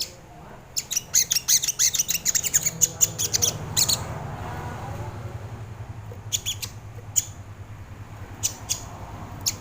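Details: Sogon bird song used as a lure and training recording for cage birds: bursts of sharp, high, clicking chips, fast and dense in the first four seconds, then scattered short chip groups over a low background hum.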